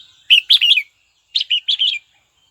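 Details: Red-whiskered bulbul calling a rival: two quick, lively phrases of rolling, liquid chirps, each about half a second long, separated by a short silence.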